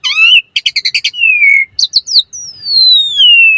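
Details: Asian pied starling song in the 'mompa variasi' style, meant as a master and lure for training starlings: long sliding whistles, a rapid burst of repeated chirps, then a long falling whistle over clean silence.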